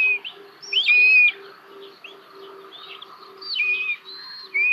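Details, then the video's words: Common buzzard nestlings in Hungary, 1 June 2022, begging as food is delivered: high, slightly wavering whistled cries in overlapping bursts, with a faint regular low pulsing underneath. ""Where's mine?!" Hungarian Buzzards."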